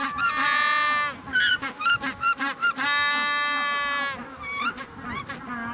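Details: A male Magellanic penguin calls beside his burrow on the Patagonian coast during the September mating season, before his mate lays eggs: long, harsh, donkey-like brays broken by quick gasping bursts in a loud, rhythmic sequence.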